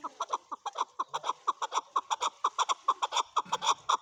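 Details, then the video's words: A male chukar calls in a loud, rhythmic run of short, low clucking chuck notes, roughly two per second, fairly regular and sustained throughout without pause. "My best Male chukar sounds Male chukar calling //Male chukar voice"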